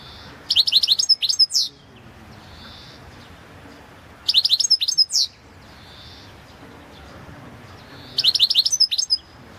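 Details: Goldfinch of the Balkan subspecies balcanica singing for a 2022 online world championship, with three similar phrases of fast, high, tinkling twitters ending in a rising sweep, about every four seconds.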